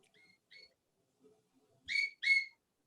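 A pet cockatiel gives two soft whistled notes, then two louder, clear whistles in quick succession, with faint voices murmuring in the background.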